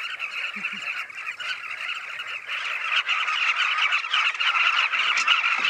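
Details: Southern carmine bee-eaters gathering in a large riverbank colony on the Luangwa River, watched from a hide; dense rolling chorus of overlapping calls growing louder, with a few soft low human sounds.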